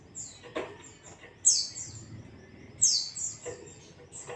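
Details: White-eye (pleci) singing ngalas, a lure to set other white-eyes singing: two loud, bright descending whistled phrases about a second and a half apart, softer high chips around them and a few knocks.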